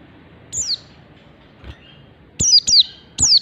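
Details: Mountain white-eye from Merapi delivering its ngalas standar song: a lone, high, downslurred whistle, a pause, then three bright, piercing descending notes in quick succession.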